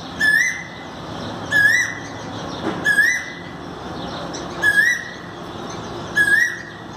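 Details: Asian koel, 5 May 2019: five rising whistled notes repeated roughly every one and a half seconds, each with a brief burst of high chirping from other small birds alongside.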